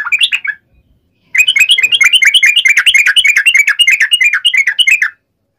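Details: Singing yellow-vented bulbul, fighting song in uplik ropel style aimed at making birds respond: a short warbled phrase, a pause, then nearly four seconds of rapid, bubbling, up-and-down chirps.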